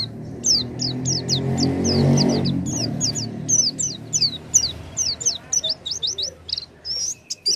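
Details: Oriental white-eye song meant to spur a silent white-eye to sing: continuous high, downslurred twittering notes in quick succession, with a loud low rumbling background during the first half, then clearer chirps and whistles.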